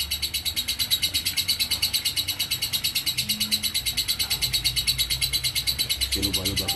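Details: Nonstop ngekek konslet from a lovebird, with a fast, evenly repeated high rattling chatter that holds steady throughout and a faint low murmur near the end.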